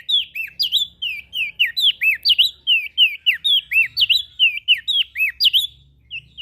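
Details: Ashy prinia calling continuously, played to attract small birds: steady, loud chirps, each a quick rising-then-falling slur, repeated about three times a second throughout with barely any gaps.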